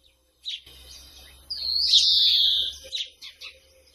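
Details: A European greenfinch gives a long, harsh, nasal wheeze that swells and then slides slightly down, framed by a few short chirps before and after.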